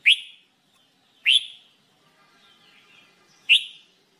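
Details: Red-whiskered bulbul song recorded for singing training: three short, bright whistled notes, each dropping quickly from a sharp onset, spaced over about four seconds with quiet gaps between.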